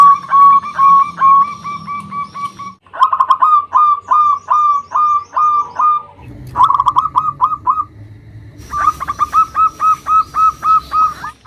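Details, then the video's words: Big-voiced local zebra dove calling as a lure to draw rivals. Long runs of rapid, repeated hooting coos, sometimes clipped and stuttering, follow one another with a low hum in places. "Perkutut Lokal GACOR suara Besar Ampuh memanggil Lawan EMOSI MANGGUNG PANCINGAN PERKUTUT LOKAL"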